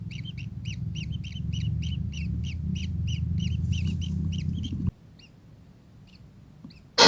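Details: Kingfisher repeating sharp, high double-toned chirps in a steady rapid series over a loud low engine-like hum; the hum then cuts out, leaving near quiet, and a loud crackle ends it.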